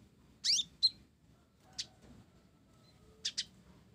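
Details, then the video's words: Olive-backed sunbird of the blorok type singing a sparrow-style fill: a sweeping slurred chirp, a short sharp note, a lone tick, then a quick pair of high chirps after a pause. "Kolibri Ninja Blorok Gacor isian Gereja"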